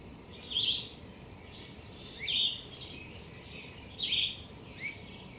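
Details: Blue-winged parrotlets feeding on Hibiscus schizopetalus leaves in a garden give short, high, buzzy chirps, several overlapping in quick irregular bursts over a soft steady background hiss.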